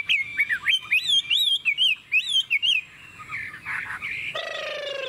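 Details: Chinese hwamei kept in a cage, delivering a long ngũ trường song: clear looping whistles repeated in quick succession for about three seconds, then softer scratchy notes and a brief harsh, buzzy sound near the end.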